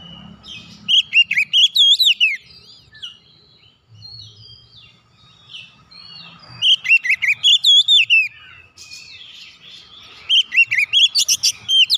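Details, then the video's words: Oriental magpie-robin song for getting a silent bird singing again: three bursts of rapid, rising and falling whistles with shrill overtones, separated by quieter gaps holding softer chirps. "KICAUN MENGATASI KACER MACET BUNYI KEMBALI GACOR"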